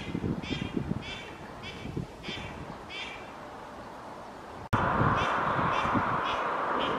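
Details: Quacking female mallards, two pairs at Oksywie on 2 April 2021: several nasal quacks in quick succession, then a sudden loud burst of broadband noise, possibly wind or handling, that partly masks further faint quacks.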